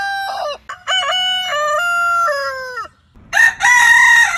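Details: Morning rooster crow in stepped phrases: short choppy notes, then a long, level crow with small breaks that slides down at the end, followed after a pause by a harsher, noisier crow.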